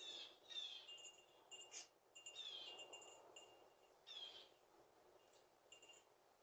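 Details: Blue jays giving warning calls as they disperse after a second batch of peanuts: clear, bell-like whistled notes sliding downward, repeated irregularly every second or two over a soft rushing background.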